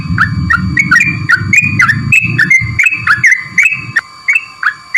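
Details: Sooty-headed bulbul, used as a lure for a bird reluctant to sing: a steady stream of short bubbly whistled notes around mid pitch, several per second, over a low rumbling hum and a constant high tone that fades near the end.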